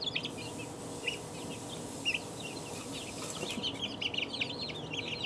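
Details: Two-week-old chicks peeping, sparse high chirps at first becoming a busier overlapping chorus toward the end, with faint knocks and a low steady hum.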